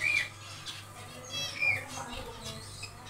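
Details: Aviary zebra finches busy building a nest, day two: scattered nasal beeping calls from several birds over three seconds, irregularly spaced, with a constant low electrical hum.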